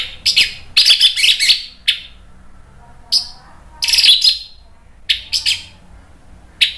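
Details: Orange-headed thrush singing to provoke another bird into answering: loud scratchy, harsh bursts in irregular clusters, some rapid doubled notes, separated by short silences, against a faint low hum.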